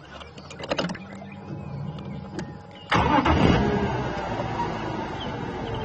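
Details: Clicks and a faint murmur give way to a vehicle engine starting and then idling with a steady rumble, and no animal sounds are heard.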